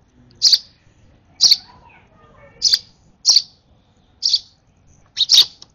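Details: Hand-fed sparrow nestling begging eagerly at feeding time, giving loud high chirps about once a second, the last two run close together, over a quiet background.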